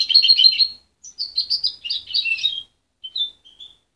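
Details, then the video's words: Juvenile goldfinch hybrid, not hand-reared, reared by its mother until separated at 23 days and still muddled in its singing: bright, rapid twittering phrases in short bursts, followed by a few thin whistled notes. "Mixto de jilguero joven"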